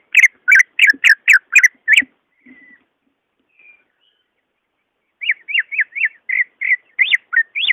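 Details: Song of the greater green leafbird, used to stir a slow-singing caged bird: a rapid string of bright, harmonic whistles, a quiet gap, then a second run of rising and falling notes.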